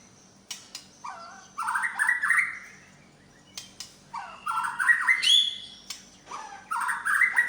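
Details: White-rumped shama, Medan type, singing its imitated repertoire: three rich phrases of rapid warbling and rising whistles, with sharp clicks and short chirps between them.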